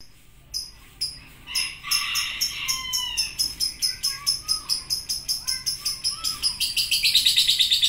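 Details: Lovebird that first ticks (ngetik) with separate sharp clicks and a few lower whistled slurs, then speeds up into a quickening string of pulses that builds to a rapid, high chatter at the end.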